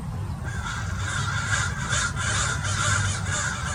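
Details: American Crows mobbing a Peregrine Falcon in Irvine, California: continuous chorus of overlapping hoarse caws from many birds, about two to three per second, with wind noise underneath.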